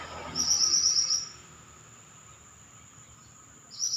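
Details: Pied bushchat in lively song: one rapid, high, buzzy trilled phrase lasting under a second, then near silence with a constant thin high tone, before a new phrase starts at the end.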